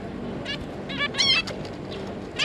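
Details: Zebra finch pair with their three juveniles, giving short nasal honking calls with stacked harmonics around 0.5, 1.0, 1.3 and 2.4 seconds, over a steady low background hum.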